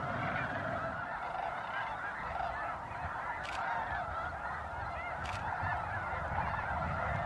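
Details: Winter snow geese at Bosque del Apache refuge, recorded at sunset and sunrise in December 2009. Thick, ceaseless honking chorus, with two brief sharp clicks breaking through.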